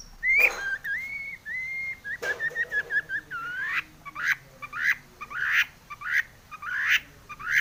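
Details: Long-tailed shrike song full of varied phrases, a lure for other shrikes; level whistled notes and short warbles, followed by a regular series of rising sweeping calls.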